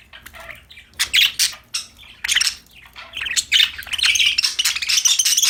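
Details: Cheerful pet budgerigars at play chatter in rapid scratchy chirps and squawks, the bursts growing denser into a continuous warbling stream toward the end.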